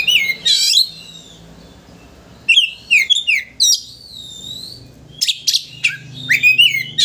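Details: Oriental magpie-robin singing as bait to rile a rival into spreading its tail: loud whistled slurs and scratchy chatter in two main bursts, over a steady low background hum.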